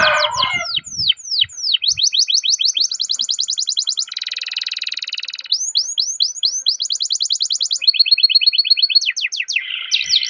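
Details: Canary's long roll, meant to prompt other canaries to sing: quick falling chirps run into high rattling trills and a dense buzzy roll, with more fast whistled slurs after. Brief low noises at the start.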